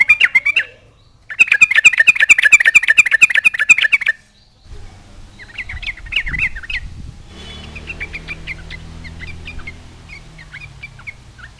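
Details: Yellow-vented bulbul singing to provoke rival bulbuls: a loud rapid burst of bubbly, chattering whistles for several seconds, then quieter, more distant warbled notes over a steady low background hum.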